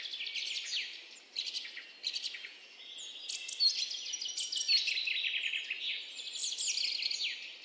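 Pheasant-tailed jacana giving high, busy chattering and twittering calls in quick overlapping bursts, with a faint low background hiss throughout.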